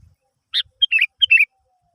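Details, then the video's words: Sooty-headed bulbul used to prompt other birds to sing, giving a sharp chirp followed by two quick bubbly whistled phrases of two or three notes each, in clean quiet surroundings. "Pancingan Burung kutilang Terbaru"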